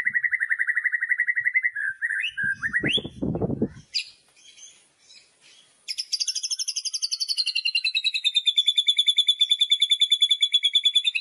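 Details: Loud kretekan song of a white-rumped shama, a style used to rouse another murai batu to sing at contests. Rapid repeated mid-pitched chatter, a brief low rustling noise and a pause, then a higher, faster trill of evenly spaced notes.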